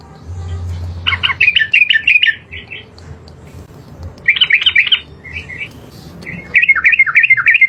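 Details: Yellow-vented bulbul, trucukan garuda, in animated 'gacor' song: three bursts of quick, squawky, bouncing chirps with short breaks, over a soft low hum.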